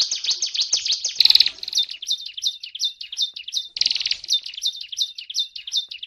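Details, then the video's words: Gacor song of a mountain tailorbird, known locally as prenjak gunung: quick, high chirped notes in runs, broken twice by brief harsh, noisy bursts, then resuming as evenly spaced sharp notes. "suara gacor cigun daput"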